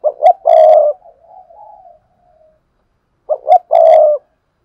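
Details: Decoy spotted dove calling to spur freshly caught birds to coo quickly: two phrases of two brief rising notes plus a drawn-out hoarse coo, with a quiet wavering trail between them.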